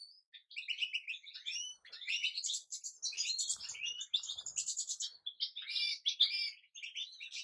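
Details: European goldfinch giving a fast, dense run of bright, tinkling twitters and buzzy trills, with high notes jumping quickly between pitches and almost no pause for seven seconds.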